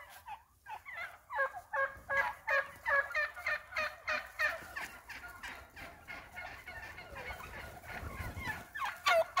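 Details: Flock of wild turkeys (Meleagris gallopavo) that roost on the property, calling after leaving the roost in the morning: rapid, overlapping yelps and clucks, about three per second, with a brief gobbling rattle near the end.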